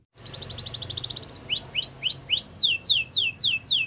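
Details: Wild canary singing in the morning: a fast, high buzzy trill of even notes, then rising slurred notes and a run of loud, sharply falling whistles repeated about four times a second.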